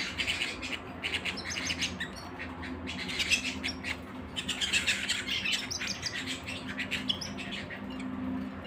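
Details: Canary singing a fast, bright stream of chirps and trills in dense bursts, loudest around the middle, over a steady low hum.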